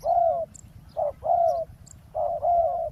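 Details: Spotted dove cooing to lure a wild dove during ground trapping beside a road. Three rounded coos come in pairs of a short note then a long, wavering one. Distant thin chirps are heard.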